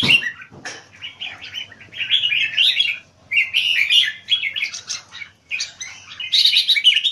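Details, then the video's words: Red-whiskered Bulbul kept for keke competition singing in Singapore, giving rapid bright chattering phrases in bursts of one to two seconds with brief silences between. "JAMBUL - สิงคโปร์เลี้ยง นกหัวจุก - WINCHESTER - Keke Monster - Count How Many Keke In 1 min 19 secs"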